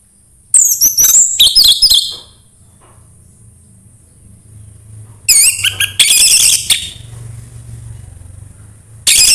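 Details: Orange-headed thrush 'suara embun pagi' song, played to get a caged thrush singing: dense bursts of high chattering and slurred whistles, alternating with short quiet stretches, and a new outburst at the very end.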